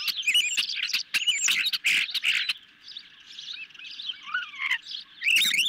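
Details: Hungry ospreys on the nest with a medium-sized fish, July 2021 evening, via nest camera; loud chattering chirps for a couple of seconds, then softer calls and a descending whistle before another sharp burst.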